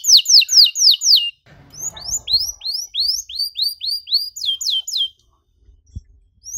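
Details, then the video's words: Canary singing ornate phrases as a model for young canaries: several loud descending whistles, a string of rising chirps over a soft rumble, a quick trill, then near silence with a single tap. "KENARI GACOR DORR NEMBAK PANJANG, CENGKOK MEWAH COCOK BUAT KENARI MUDA BELAJAR BUNYI"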